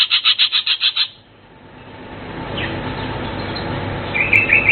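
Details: Blue cucak keling songbird giving a fast burst of seven evenly pulsed chirps in the first second, then fading into steady background hiss with a few faint notes near the end.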